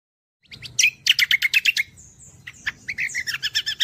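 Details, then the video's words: Cucak kombo song, used as training material for songbirds: rapid series of loud, sharp chirping notes in two bursts, with a thin high whistle between them and faint low background rumble. "audio Gacoran Cucak Kombo"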